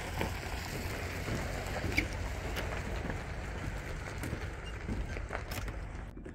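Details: Low vehicle rumble with scattered soft clicks and patter; no animal call stands out.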